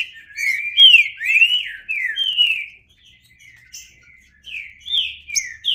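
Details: Trinca-ferro (green-winged saltator) delivering loud flowing whistled notes, some rising and others falling, in two phrases split by a short quiet stretch.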